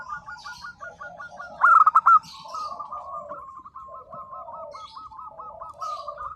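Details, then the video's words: Local zebra doves singing: one short, loud burst of rapid staccato coos, surrounded by long trains of softer, evenly repeated rolling coos from other birds nearby. "perkutut lokal gacor _suara nembak perkutut lokal bisu_ 100% LANGSUNG NYAUT"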